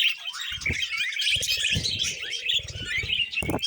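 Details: Pet budgerigars warble as they eat vegetables. Busy high twittering and squeaky chatter flow without pause, broken by soft knocks and munching sounds.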